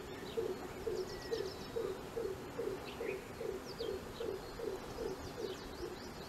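A greater coucal gives a long, steady run of deep, hollow booming hoots, about two per second; thin chirps and whistles of other birds sound faintly above.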